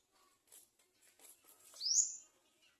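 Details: Garden sunbird chick crying for food at the nest: faint scattered high chirps, then one louder thin rising squeak near the end, with soft background noise.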